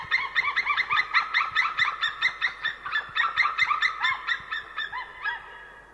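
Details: Two white-tailed eagles, one ringed, calling from a tree at a winter feeding ground in Estonia, 20 January 2013 at 15:30, giving a rapid series of yelping, goose-like notes, two or three per second, slowing and fading.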